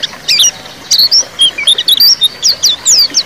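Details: A white-eye sings a fast, high twitter of thin chirps and quick slurred notes, bursting almost without pause, used as a lure recording to get silent male white-eyes singing.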